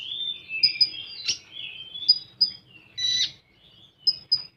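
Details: Part of a common iora's 'full tembakan' song, with drawn-out wavering whistles, harsh bursts and scattered sharp high pips, ending in a pair of quick pips.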